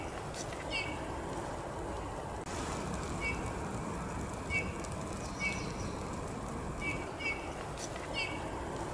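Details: Eurasian bullfinch perched in a maple; short, soft piping notes repeated irregularly, about eight across the stretch, standing out faintly above a steady broadband background hiss.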